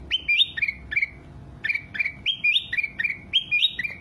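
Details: Ruby-throated bulbul song for training caged birds. Loud whistled phrases rise sharply then settle onto a lower sustained note, given in bursts with a brief pause midway and a quiet background.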